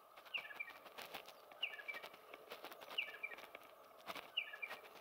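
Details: Territorial male striated pardalote calling non-stop: a sharp high two-note call, a bright chip then a short clipped note, repeated about every 1.3 seconds over steady background noise with faint rustling.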